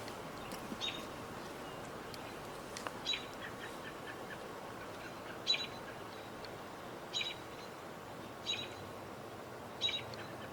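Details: Robins vocalizing as dusk falls while a bird of prey perches nearby watching something move: short, sharp, high calls, one every one to two seconds, over a steady low background hiss.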